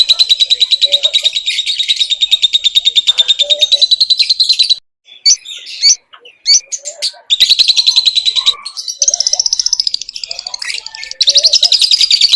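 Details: Lovebird singing in full voice: long, rapid, buzzy chattering trills held at a steady high pitch, broken by a short pause with scattered squeaks before the trilling resumes.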